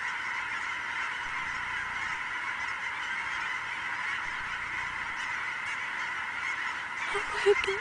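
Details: A huge flock of migrating geese on Sauvie Island in October 2012: a dense, continuous chorus of overlapping honks forms a steady wall of sound, with a few louder nearby calls near the end.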